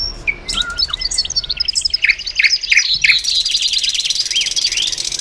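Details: Reverse hybrid goldfinch singing mixed chirps and slurred whistles, a series of four short repeated notes, then a continuous buzzy twittering passage.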